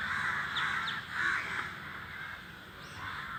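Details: Crows calling while flying as a flock: a few harsh caws early on, then fainter rasping calls fading into background hiss.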